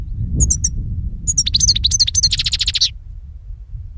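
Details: European goldfinch song played for capturing birds: a few high chirps, then a rapid twittering phrase ending in a fast buzzy rattle of repeated notes, then a low rumble.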